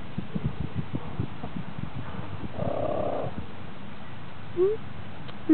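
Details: Dustbathing hens purr contentedly. A short run of low thumps and scuffles comes first, then a single rolling, trilled purr of under a second, followed by a brief rising squeak.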